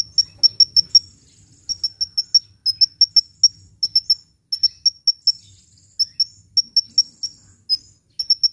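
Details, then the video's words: Hummingbird singing, offered as a lure and to spur reluctant birds into song: rapid series of piercing high chirps in clusters of four or five, repeated steadily for several seconds, with a soft low background hum. "SUARA BURUNG KOLIBRI GACOR‼️ [bisa buat pikat & yg males bunyi"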